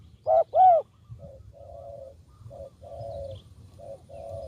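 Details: Spotted dove cooing, used as a decoy call for luring wild doves: two loud, low hooting coos, then softer, even coos repeated in short phrases with brief gaps.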